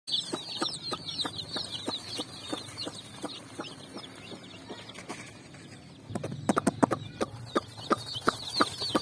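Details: Colourful chicks in a group running on sand in the evening while looking for food: a dense stream of high, rapid chirps throughout, over scattered sharp clicks and taps that turn louder and more frequent in the last three seconds.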